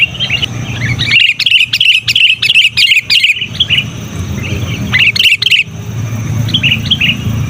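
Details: Sooty-headed bulbul in loud, persistent chatter meant to lure wild bulbuls and serve as a model for training caged birds: bursts of bright, quick chirps, a short pause, then another burst, over a low rumbling background.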